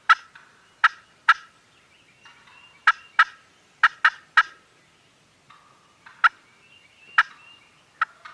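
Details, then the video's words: Several turkeys at a farm gobble in quick clustered bursts, some pairs and triplets close together, others spaced a second or more apart, over a soft background hum; filmed on a compact camera. "Turkeys Are Gobbling"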